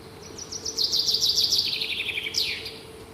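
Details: Morning bird song: a fast trill of rapid high notes slides slowly downward, then a second short descending run, over steady background noise and a constant low hum.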